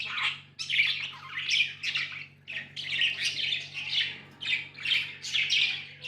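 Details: Rhythmic pulses of bright warbled chirping from tame budgies, roughly two bursts a second, rising and falling in loudness, with a low hum beneath.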